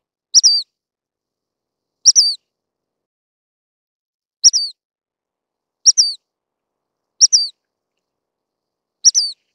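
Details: Six thin, very high, slightly falling call notes from a dark-sided flycatcher (Muscicapa sibirica), a rare passage migrant in Taiwan, given singly or in quick pairs every one to two seconds against a silent background.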